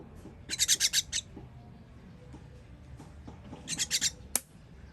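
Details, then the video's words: Baby birds begging while fed, 21 June 2023: two bursts of five or six rapid, harsh hissing calls, several seconds apart, with a sharp click near the end. "Baby bird baby bird feeding"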